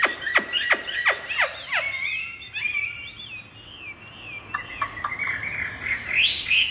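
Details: Caged Chinese hwamei kept as a songbird, opening with a run of sharp, rapid downward-swept notes, then moving into loud, varied whistled phrases. These slur up and down and end in a bright, rising flourish.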